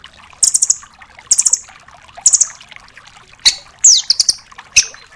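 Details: Velvet-fronted nuthatch, locally 'rambatan doraemon', for tutoring songbirds; high quick chip rattles about every second, followed by sharp downward-slurred whistles and a brief rapid run.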